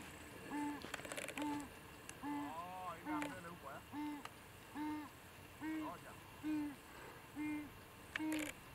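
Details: Southern ground hornbill chick on safari, just fed by an adult: begging with short, low, hooting notes repeated about once a second, with clicks, rustling and some softer wavering calls between them.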